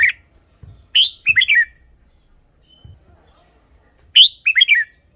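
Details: A caged red-whiskered bulbul sings, a recording used to excite birds or as a decoy. Two clear phrases of four or five quick liquid whistles, about three seconds apart, with near silence between them.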